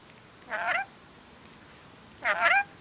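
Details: A female pet rainbow lorikeet mimics human speech, saying "hello": two short, voiced, word-like utterances about two seconds apart, each rising and falling, in otherwise quiet surroundings.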